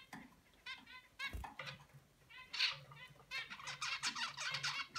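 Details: A young male zebra finch practises his song, trying to sing like his father, in rambling bursts of nasal, buzzy notes.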